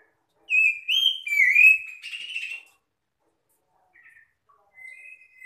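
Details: Magpie-robin answering song meant to call other magpie-robins and prompt silent, stressed birds to sing: loud whistled phrases, rising then sliding down, followed by a scratchy trill and faint distant whistles.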